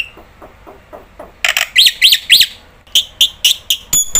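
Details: Black-winged starling, a vocal bird used as a lure to prompt other starlings to call. Soft low clicks come first, then loud, harsh, rasping chevron-shaped screeches. Quick sharp notes follow, about four per second.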